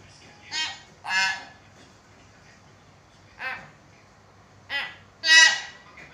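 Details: Vocal hill myna meant to prompt lazy mynas: five harsh, nasal, harmonic squawks in loose pairs and singles, the last the loudest and most rasping.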